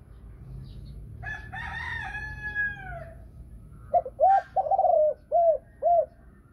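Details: Spotted dove of the Thai line, a female with the prized 'thunder voice' (thổ sấm) calling style and two ending notes. After a descending harmonic call from another bird, it gives a run of short, rounded, low coos in quick succession.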